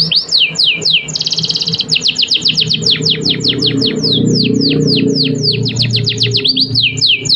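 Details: Canary singing a long full-duration master song meant to stimulate other birds to sing: rapid descending whistled notes repeated about four per second, a buzzy rattling trill near the start, with a low background hum.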